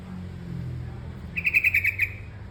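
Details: Bulbul known locally as terucukan kebo, giving one short bubbly phrase of about seven quick, even notes near mid-high pitch, lasting under a second, over a low steady hum.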